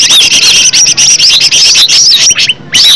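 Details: Cucak ijo, the green leafbird, in a lure recording: fast high chattering phrases of short upswept and arched whistled notes, nearly unbroken, ending after a short pause with another burst.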